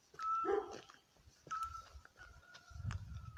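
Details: A pair of Eurasian Scops Owls duetting in the Algarve, recorded by phone from directly beneath their tree. Short, level whistled notes recur irregularly; a dog whines near the start, and low rumbling footsteps come towards the end.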